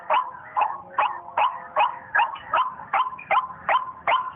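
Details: Waterhen lure call played on a phone: a regular run of about eleven harsh, sharply dropping notes, evenly spaced about 0.4 seconds apart, thin and tinny in tone.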